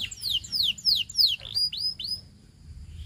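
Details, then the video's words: A Belgian canary sings in a short phrase of loud, sharply falling whistled notes about four per second, then a few clipped rising-falling notes, with faint low background hum. "The Singing Canary Tempts All Canaries to Sing - Belgian Canary Singing"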